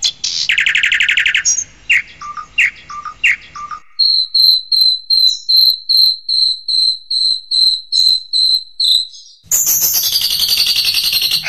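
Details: Long-tailed shrike song meant for training caged birds: a fast buzzy trill, short dropping notes, then a run of evenly spaced high piercing whistles roughly every half second, ending in a harsh rasping burst.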